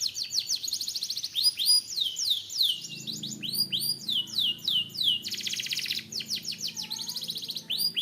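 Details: A canary sings loudly and without a break. Rapid downward-sweeping whistles mix with dense, buzzy, high rolling trills, and the phrases change every second or two.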